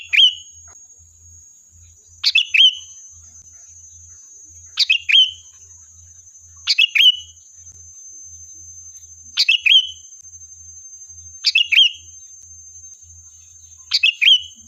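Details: Lure song of a sooty-headed bulbul meant to make another bird answer: short bright phrases of a sharp chirp and a quick fluty whistle, repeated about every two seconds, over a constant high-pitched hum.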